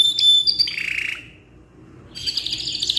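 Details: Canary with a long tutoring song: a brief burst of high whistles drops into a buzzy trill, then a pause before a dense, high chattering phrase resumes.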